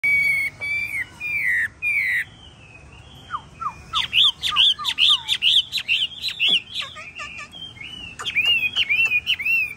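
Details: Hwamei of a yellow-footed, yellow-billed, yellow-plumaged variety singing loud, clear whistled phrases, opening with bending notes, then a fast series of rising-falling whistles paired with lower downslurred notes, ending in warbled trills.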